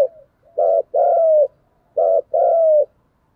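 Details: Spotted dove giving a fighting coo to spur rivals: loud, low, mellow coos in two phrases, each a short burst followed by a longer sliding note, about 1.4 seconds apart, against a quiet background.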